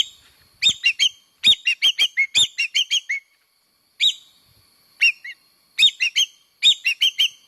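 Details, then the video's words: Lure recording of a common green magpie (engkek keling layongan, Cissa chinensis): a rapid run of clipped, squeaky notes repeating about every quarter second, a pause, then shorter groups of two to five similar ringing chirps, with no other sounds. "Suara pemikat Burung engkek keling layongan / common green magpie (Cissa chinensis)"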